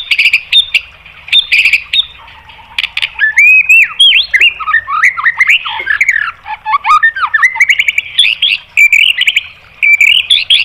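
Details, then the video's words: White-rumped shama in varied song, used to goad other birds into singing: loud, rich sequence of whistled swoops, squawky slurred notes and sharp chips, densely packed with many rapid phrase changes. "MASTERAN MURAI BATU memancing EMOSI JADI NYAUT"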